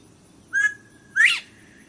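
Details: A white Northern Bobwhite quail whistles its two-part call: a level clear note, then a loud, sharply rising second note, over faint background hiss.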